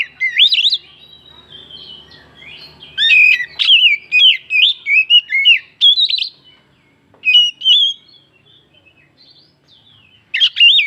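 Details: Oriental magpie-robin song meant to stir other birds into singing: a string of clear, varied whistles and twisting slurred phrases, broken by gaps of a second or two, with a faint low hum early on.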